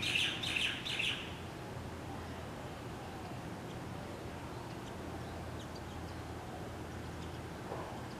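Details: A wild common waxbill preening on a leaf in Hawaii gives three quick, high, sharp chips in the first second, then only faint background hiss and distant soft notes.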